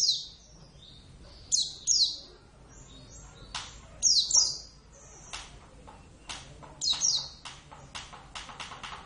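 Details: Javan Oriental white-eye kept in a cage sings scattered high, sharp chirped phrases in short bursts amid clicking and tapping noises, with faint talk in the background.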